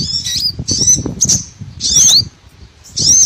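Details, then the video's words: Small birds calling on a trapping lure for all sorts of small birds: a few short bursts of very high, squeaky twitters with swooping notes, over a low rumbling background. "BURCIL COCOK UNTUK PIKAT SEGALA JENIS BURUNG KECIL"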